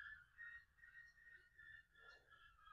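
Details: A red-legged seriema sings nearby in the afternoon, answering another calling from the home, with a run of shrill, yelping notes, each rising and falling. Faint and steady, heard from indoors in a quiet room.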